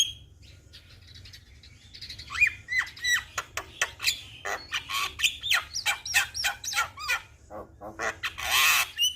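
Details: Jalak kebo, a young Javan myna, in a tutoring recording: after a quiet start, a run of loud whistled upslurs and downslurs mixed with harsh buzzy rasps and clicks, ending in a broad noisy burst.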